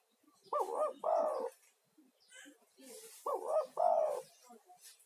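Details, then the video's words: Spotted dove, an energetic male's lure call meant to draw other doves and calm stressed caged ones; two cooing phrases, each a quick double note followed by a longer drawn-out coo, about two and a half seconds apart. "SUARA TEKUKUR GACOR UNTUK TERAPI"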